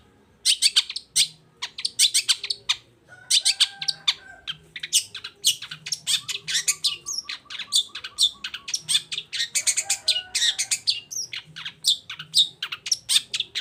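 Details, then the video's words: Long-tailed shrike singing energetically, a recording meant to spur quiet shrikes to join in: a dense, fast jumble of sharp chips, squeaks and short trills with a few brief whistled tones, continuing without pause. "CENDET GACOR ❗RAJANYA DONGKRAK EMOSI CENDET DIAM LANGSUNG NYAUT GACOR IKUTAN BUNYI"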